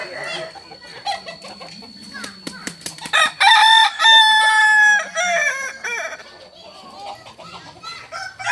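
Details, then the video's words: A crow from a Kokok Balenggek cock, the Solok, West Sumatra breed whose crowing climbs in tiers, rings out loud and drawn-out after scattered clucks and knocks, with stepped breaks near the end. "Ayam kukuak balenggek ayam asli solok sumbar"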